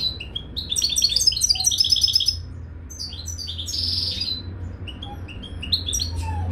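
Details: European goldfinch in a cage, recorded during mating: bright tinkling twitter of rapid high chirps and trills, dense bursts in the first two seconds, then scattered twittering notes over a steady low hum.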